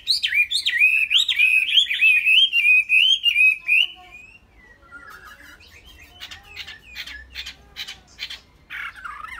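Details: A caged Chinese hwamei from Vietnam pours out four seconds of rich, rolling whistles that loop up and down, then goes on with quieter, clipped, scratchy notes and short buzzy bursts.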